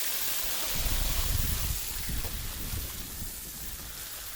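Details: Rushing water and wind fill the recording with a steady roar, and no animal calls can be picked out.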